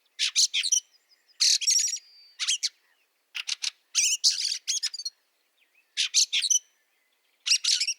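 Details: Harsh chattering bursts from a Fieldfare in snow at Liepāja, Latvia, March 2023. Rapid broadband chack notes come in groups of three to eight, with one trailing thin whistle, at steady intervals across the recording.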